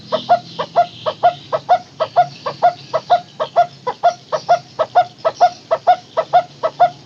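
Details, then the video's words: Barbet called takur teguk teguk in the local name, played to lure barbets that stopped calling: an unbroken, very regular series of loud, hollow knocking notes, roughly two per second throughout. "Suara asli burung takur teguk teguk"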